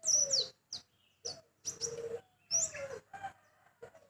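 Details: Small white-eye singing in a sharp, fiery style: short clusters of high, bright chirps and downward-slurred notes, delivered in separate bursts with silent gaps between them.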